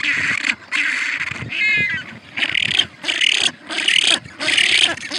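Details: Penguins bray loudly in harsh, raspy bursts, each about half a second to a second long with short gaps between, and one brief buzzy trilled note partway through.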